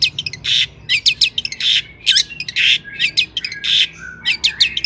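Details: Lure song of a long-tailed shrike, meant to excite other shrikes: grating squawks alternate with bright upslurred whistles and clipped chips in an uneven, busy rhythm.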